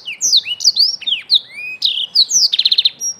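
A young Black-throated canary sings a quick run of high, sliding whistled notes, ending in a rapid buzzy trill; nothing else is heard.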